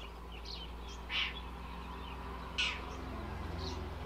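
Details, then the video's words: Indochinese roller giving two short, harsh, rasping bursts about one and a half seconds apart, with faint higher chirps from other birds and a steady low hum underneath. "เสียงนกขาบ นกตะขาบทุ่ง Indochinese roller sound"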